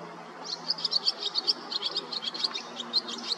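Barn swallow giving a rapid, high twitter of short chirps, about five per second, that runs almost without a break, with a faint low hum beneath.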